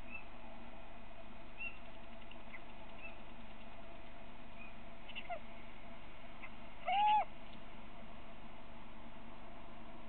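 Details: Third little owl calling at Winterswijk on a webcam, 3 February 2017 at 17:55, in a short meeting: a single short, mewing note rising then falling, a fainter note a couple of seconds earlier, over steady low rumble.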